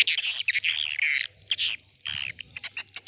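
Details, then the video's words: Old-fashioned swiftlet calling sound meant to attract swiftlets, with loud, harsh, high chattering twitters in bursts of about a second, then quick short chirps, and a faint low hum beneath. "Suara Panggil Walet SUPER JADUL"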